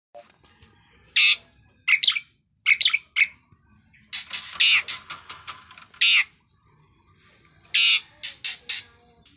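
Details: Asian pied starling used as a training recording for other songbirds, giving loud harsh squawks and chattering bursts in irregular clusters, with short rasping notes and brief pauses between phrases.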